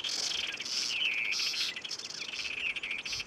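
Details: Apolinar's wren (ssp. hernandezi), one of up to eight together, in Sumapaz highlands near Bogotá, Eastern Andes, Colombia, in February: harsh, buzzy, high-pitched chattering notes in quick bursts, about four a second, with a faint hiss behind.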